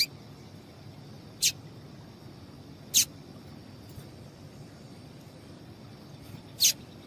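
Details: Female double-collared seedeater call, used to make males sing: three short, sharp high chirps, each a quick downward sweep, spaced about one and a half seconds apart, over low steady background hiss.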